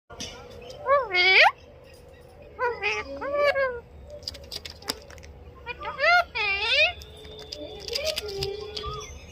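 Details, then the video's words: Pet parrot calling "mummy": loud, wavering, speech-like calls in short bursts of two to three syllables, repeated several times with quiet gaps between them. "parrot calling mummy"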